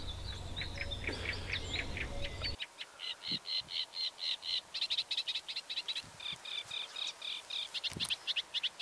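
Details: Great Reed Warbler singing in a Dutch reedbed in spring: a loud, harsh, croaking chatter of rapidly repeated grating notes, about four per second, after a brief low rumble at the start.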